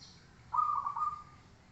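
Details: Zebra dove song: a single smooth, steady mid-pitched coo lasting under a second, with a slight break midway, over a quiet background.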